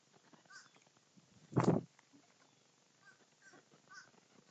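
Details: Crows in a group feeding together: one loud, harsh, noisy caw burst near the middle, with faint distant caws from other crows before and after it.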